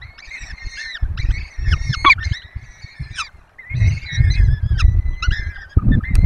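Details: At a Barycz Valley nest under webcam, a peregrine falcon pair feeds their four chicks. Clusters of strained, wavering calls come in two main bouts, one dipping steeply, amid thumping low-frequency rumble and brief quiet gaps.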